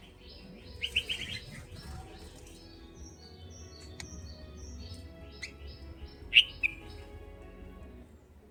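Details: A red-whiskered bulbul of a nesting pair caring for chicks beside a house window gives a quick burst of bright chirps, then one sharp chirp later, with faint high tones and a low hum behind.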